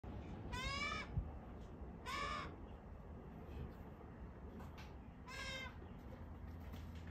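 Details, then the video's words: A magpie gives three drawn-out, nasal, wailing squawks about half a second each, spaced roughly one and a half to three seconds apart, with low background rumble between. "This magpie is a bit dramatic!"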